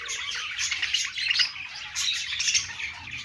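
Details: Pet budgies warble on a perch in rapid, excited chatter, with bright squeaky chirps clustered in bursts about every second.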